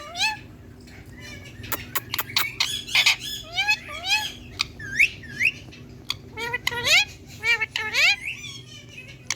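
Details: Green hand-tame Indian ringneck parakeet chattering at its reflection in a mirror, giving a dense stream of gravelly bursts and swooping, upward-bending voiced syllables, with a short quieter gap midway.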